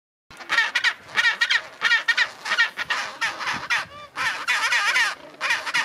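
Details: Chinstrap penguins braying like donkeys in a colony at Orne Harbour, Antarctica, January 2023: loud, harsh, wavering braying notes overlapping in dense bursts, several birds calling at once.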